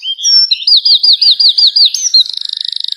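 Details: A songbird singing loudly: high whistled notes, then a run of about eight rising slurred notes, ending in a fast buzzy trill.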